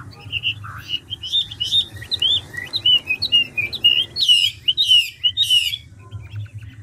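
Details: Forest-caught 'ngũ trường' Chinese hwamei changing voice continuously at speed: a chain of clear whistled slurs and warbles, then three loud harsh buzzy bursts with ringing whistles, over faint low hum.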